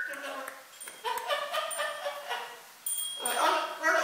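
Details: African grey parrot kept as a pet, talking in speech-like phrases with harmonic, voice-like syllables and mid-pitched tones, some rising, separated by short pauses, with a brief gap near the middle.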